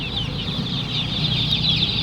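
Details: Many chicken chicks for sale at a market in Raghunathpur, Gobardanga, peeping together in a dense, continuous chorus of high, thin cheeps with overlapping chirps.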